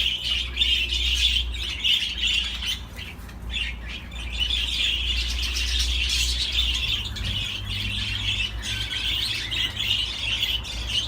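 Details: Long budgerigar warble: rambling twittering chatter with squeaks and clicks, rising and easing in short waves, almost without a break, over a steady low hum.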